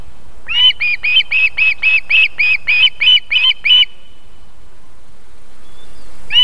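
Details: A female osprey feeding her chicks at a nest in Võrumaa, South Estonia, near a fish farm and river, at 19:51 on 31 July 2021, gives about eleven clear, high, slightly hoarse whistled notes, roughly three per second, then one more after a pause.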